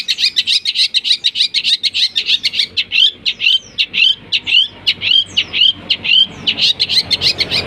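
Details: Long-tailed shrike song carrying imitations of fighting sparrows and lovebirds, used as a lure for other shrikes: quick, high, harsh chirps repeated several times a second in an unbroken, scratchy, chattering run.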